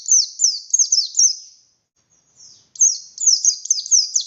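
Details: Buxtoni oriental white-eye singing to encourage silent white-eyes: short quick series of high descending chirps, a pause with a faint note, then a fresh rapid burst.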